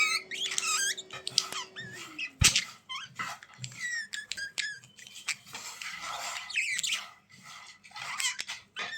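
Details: Indoor budgerigars give scattered squeaky warbles and chirps over a background hum, with a sharp click near the middle and quieter gaps between bursts.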